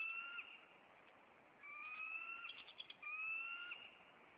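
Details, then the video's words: Maine bald eagle pair defending the nest from an intruder in late April; prolonged high whistles, one broken by a quick series of chips, with a steady hiss behind. "Maine Eagles Intruder"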